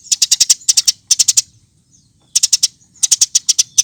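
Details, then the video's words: Loudly chirping Eurasian tree sparrow from a training compilation, delivering tight clusters of four or five high, clipped notes, a near-silent gap, then more quick clusters. "Kompilasi Masteran Burung Gereja Gacor"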